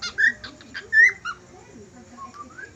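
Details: Budgerigar whistles: three loud, clear rising whistle notes with buzzy chirps in the first second, then a soft, faint warbling whistle trailing off.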